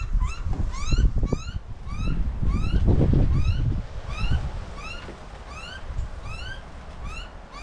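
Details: Wild butcherbird and young at feeding time in suburban Australia in summer: a series of short rising whistled upslurs repeated about every half second, with wind rumble and handling noise beneath.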